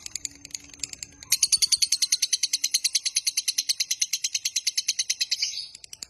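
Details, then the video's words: Lovebird giving a long 'ngekek panjang' trill, used as a master sound to lure and train other lovebirds. After faint scratchy chirps, a rapid, harsh, evenly pulsed chatter runs for about four seconds, then stops abruptly. "Suara MASTERAN Burung LOVEBIRD Ngekek Panjang Paling Cepat Dan Ampuh Untuk Memancing"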